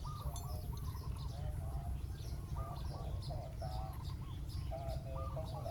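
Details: Spotted doves, a decoy bird set on the ground to call down a wild bird, giving repeated rolling coo phrases that overlap from several birds, over a steady low hum.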